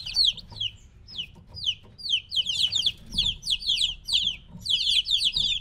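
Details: Three-week-old chicks kept apart from their mother peep loudly, a continuous chorus of sharp descending chirps coming in quick uneven bursts, with soft low background noise.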